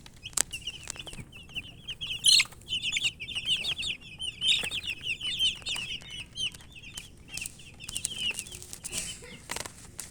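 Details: Thirsty colour-dyed poultry chicks calling for water, producing a steady stream of piercing high cheeps from several birds, some sharper peeps standing out, with a few clicks and knocks in the background.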